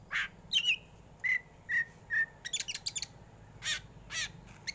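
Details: Caged black Oriental magpie-robin singing in the competition 'batuk' style. A harsh burst leads into separate slurred whistles about half a second apart, then clipped scratchy notes and coarse rasping calls.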